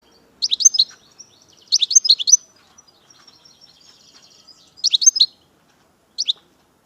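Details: European goldfinch, chardonneret major type, from Algeria, singing short bursts of bright, high twittering notes in clusters about a second long, with a faint, thin buzzy trill between phrases and a final brief chirp.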